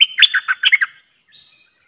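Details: Caged bulbul kept as a decoy bird for trapping, giving one quick bubbly phrase of about seven warbled notes, each falling and rising, packed into roughly one second. A few faint, thin trailing notes follow in near silence.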